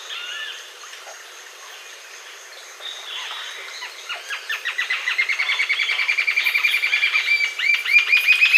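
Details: Green-tailed jacamar singing: after a few quieter, scattered high notes, a fast series of sharp, high, evenly repeated notes builds in volume and keeps pulsing steadily to the end.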